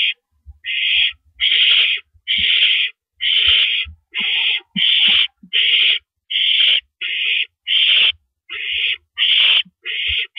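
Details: Owl heard before dawn on April 13, 2012 at 5:40 AM: a steady series of rasping, hissy screeches, roughly one per second, over soft low knocks and bumps.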